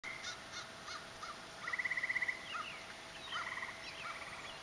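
A Chipping Sparrow gives a quick, dry, even trill of about a dozen notes, then a shorter one, with scattered high chips and a steady hiss of rain behind.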